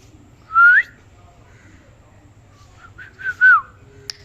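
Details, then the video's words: Pet parrot giving a loud rising whistle, a short pause, then several quick chirps and a bright falling whistle, with one faint click at the end. "Very cute parrot talking | Funny parrot talking video"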